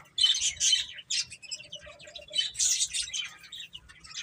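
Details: Several chicks feed and play while peeping rapidly, with dense clusters of high chirps, a brief lull midway and a faint low tone in the background.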